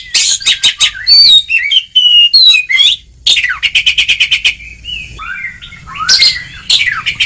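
Oriental magpie-robin sings a loud, varied song: bursts of fast, sharp chips mixed with bright rising and falling whistles, with brief pauses between phrases.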